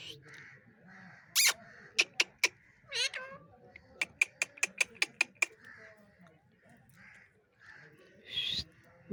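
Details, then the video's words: Angry talking parrot producing sharp clicks and a wavering squawk, then a quick burst of about eight short ticking notes, ending in a harsh rasping screech. "cute angry parrots Talking गुस्सा वाला मिट्ठू"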